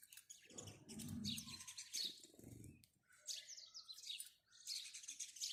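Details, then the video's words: Bright sparrow chirps come in uneven bursts, mixed with a low murmuring sound during the first three seconds. "house sparrow chirping"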